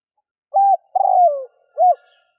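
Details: Spotted dove calling as a decoy for wild doves: a single three-part phrase with a flat hoarse coo, a drawn-out purring note sliding downward, and a short arched final coo.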